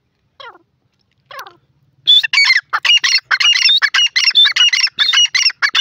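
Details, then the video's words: Grey francolin (dakhni teetar) calling: two soft, faint notes, then a loud burst of harsh, scratchy squawks repeated quickly and unevenly for several seconds, with nothing else audible. "beauti grey francolin awaz,dakhni teetar sound"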